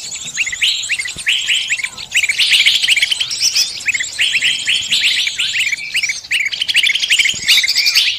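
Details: Birdsong used as a trapping lure for all bird species: a busy chorus of bright, high-pitched tweets and chattering runs, several singers overlapping without pause.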